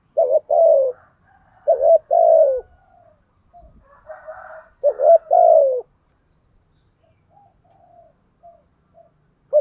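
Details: Cooing spotted dove lure bird in 'thúc gù' and 'gáy gọi' style: paired short notes and drawn-out descending coos, interrupted by a brief rough noisy burst near the middle, then soft faint murmurs toward the end.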